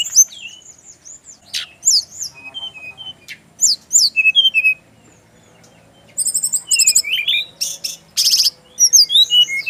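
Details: Bali recording of a Brown-chested jungle flycatcher singing so that others of its kind answer. Clear high whistles and sharp downslurred notes come in groups, a silent stretch follows, then a rapid run of twittering and buzzy notes.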